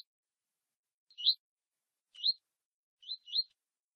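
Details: Double-collared seedeater of the tui tui song style, warming up with a female before a contest: three short rising slurred whistles, one single and then a close pair, on a silent background.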